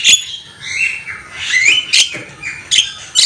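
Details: Javan myna, a bird kept as a singing tutor: a varied run of harsh, squawky notes mixed with rising and falling whistled phrases, broken by sharp clicks and loud bursts.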